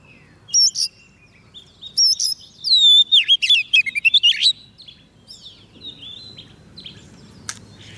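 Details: White-rumped shama singing to call in wild birds, short whistled notes, then a rich phrase of slurred whistles and fast chips around the middle, fading into faint scattered notes with low background rumble.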